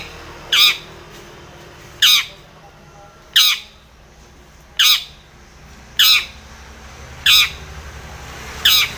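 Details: Long-tailed shrike calling out to a rival: loud harsh grating squawks, each short burst repeated about every one and a half seconds over a quiet background.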